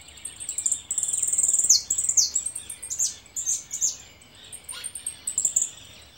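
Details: Caller goldfinch giving a stream of high, sharp twittering notes, a dense buzzy run early on followed by separate clipped chirps, some in quick pairs.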